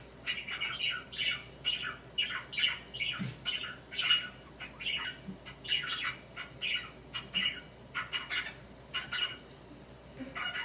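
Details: Pet budgerigar preening and swinging gives rhythmic squawky chirps about once a second, each a short harsh burst, in a quiet indoor room.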